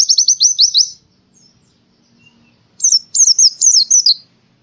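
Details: Pleci, a white-eye, from Central Java, Indonesia, singing forest-like training song: a brisk series of about seven repeated falling high notes, a quiet gap, then a quick zigzagging chattered phrase.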